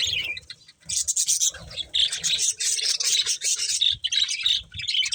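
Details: Several pet budgerigars chatter while eating corn. Dense, high, scratchy chirps and warbling run almost without pause after a brief gap near the first second, with faint low rustling beneath.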